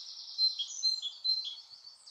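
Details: A white wagtail at Sterrebos, Sint-Michielsgestel, Netherlands, on 14 May 2015, gives sharp, high chirping calls: three louder notes about half a second apart amid softer twitters, over a faint background hiss.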